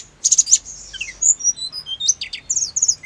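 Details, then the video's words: Short burst of hill blue flycatcher song aimed at making caged birds reply fast and agitated: quick buzzy trills, then thin high whistles and sliding notes in an uneven rhythm. "TERAMPUH BIKIN TLEDEKAN GUNUNG CEPAT NYAUT EMOSI"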